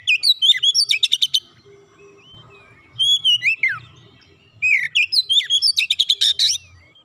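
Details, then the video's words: Oriental magpie-robin (kacer) delivering three bouts of varied whistled phrases and dense rapid trills, with a descending swooping whistle in the middle bout, played to prompt a quiet bird to sing. "kicauan indah memancing suara Kacer macet bunyi langsung gacor"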